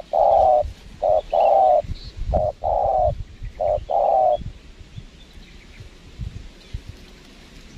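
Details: Wild spotted dove coos during trapping with a lure bird on windy ground in Lombok: deep hollow coos, short notes paired with longer ones, repeated about every second, then quiet rustling.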